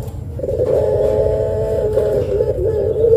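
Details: Puter pelung Barbary dove, a long-voiced lure call used to provoke rival doves into calling: one drawn-out, wavering low coo begins after a short lead-in and holds steady for nearly three seconds over a constant low hum.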